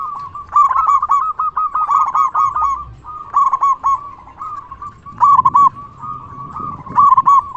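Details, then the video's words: Loud local zebra dove used as a lure to make other zebra doves respond; bursts of quick, stuttering bubbly coos on one mid pitch, each phrase opening with a sharper accented note, repeated several times with short pauses. "Perkutut Lokal Gacor SUARA BESAR Ahlinya Bikin Semua Burung Perkutut Langsung Nyaut"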